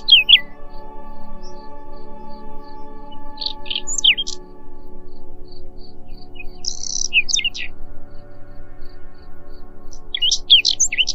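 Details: Short, intermittent Whinchat phrases of creaky chirps, squeaks and downslurred whistles, separated by pauses of varying length, accompanied by a low sustained drone of ambient music.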